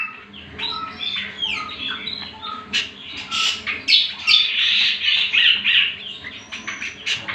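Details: Leafbird master song for teaching other birds: high, sharp chips and squeaky notes mixed with buzzy bursts, delivered in uneven quick phrases over a low background hum.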